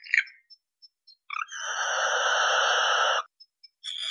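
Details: A barn owl's long rasping shriek, close to two seconds of broad harsh hiss, framed by short faint ticks before and after.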